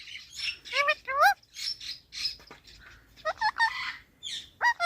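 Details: Green talking parrot producing scattered squawky and whistled notes, several sweeping upward in steep harmonic arcs, interspersed with brief pauses and softer rasping sounds.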